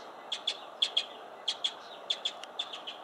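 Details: Mockingbird singing: sharp, high chirped notes given in quick pairs, each pair repeated roughly every half second in a steady run, over a faint low background hum.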